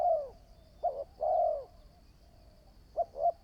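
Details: New decoy spotted dove in training for trapping: the tail of one coo, then a short note and a long drawn coo, ending with two quick short notes; low, mellow tones, quiet surroundings.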